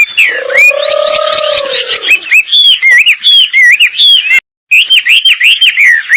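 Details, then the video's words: Energetic wambi bird song with a distinctive style, recorded for training: a long low sustained tone at first, then rapid looping whistled slurs, alternately rising and dipping, broken by one short gap of silence. "masteran burung wambi super gacor gayanya unik"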